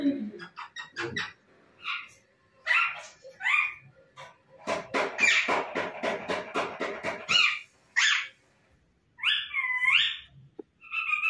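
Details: Pet talking parrot chattering a lot, mimicking a cat's meow and a dog's bark: a jumble of short harsh squawks, a rapid run of clipped bark-like bursts, then drawn-out wavering meow-like cries.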